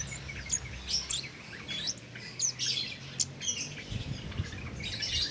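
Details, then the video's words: Cit keres bird, undoped, singing nonstop for use as a master recording to train competition songbirds; bright high chirps and brief whistled notes in quick irregular bursts, with a low rumble underneath. "Cit Keres Nembak Buat Masteran"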